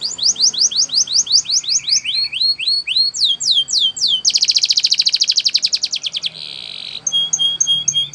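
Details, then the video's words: Belgian canary training song of rapid down-curved whistles that turn into upswept notes, then a dense fast-pulsed rattle, a buzzy roll, and short ringing tones at the end. Light background hiss. "The Singing Belgian Canary | Canary Training Is Effective"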